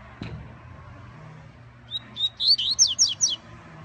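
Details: A yellow-bellied seedeater (Sporophila nigricollis) coming out of moult gives a brief, high song: two thin whistles, then a quick run of about six sharp, downslurred chips, over a quiet background.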